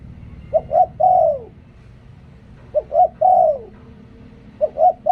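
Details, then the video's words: Decoy spotted dove in liu tan song style gives repeated three-note phrases: a clipped coo, a brief upward note and a drawn-out descending coo, roughly every two seconds. A faint low hum runs throughout. "หลิ่วตัน เสียงนกต่อ นกเขาใหญ่"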